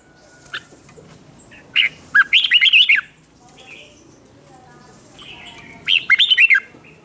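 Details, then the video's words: Red-whiskered bulbul, newly caught, singing competitively to rouse rivals: two short bursts of loud, rich warbled notes with rising and falling slurs, separated by a quiet stretch with faint softer calls. "Kích Chào Mào Hót Ché/ Kích Chào Mào Bổi Hót Đấu Mới Nhất"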